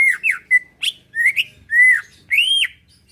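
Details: Caged Greater Green Leafbird singing loudly, kept to provoke rivals into replying and fighting; clear whistled notes, some slurred downward, others rising arcs, about seven phrases in three seconds.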